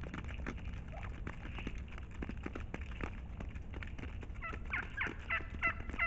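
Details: Turkey flock being fed in brush about 300 ft behind a house near a field, marshy area and pine plantation; rapid overlapping clucks and gobbling notes over a steady low rumble.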